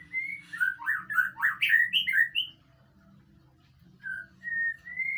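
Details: Training song of a white-rumped shama to make another bird answer: a loud run of varied, swooping whistles and warbles, then a pause and a fresh series of clear level whistles beginning; steady low hum behind.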